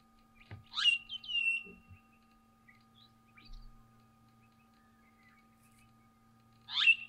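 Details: Pink cockatoo (Lophochroa leadbeateri) from a feeding group in eucalyptus in the Mallee, Victoria, giving two quavering calls that sweep sharply upward then hold a high, wavering note; another call comes about five seconds later over a quiet background.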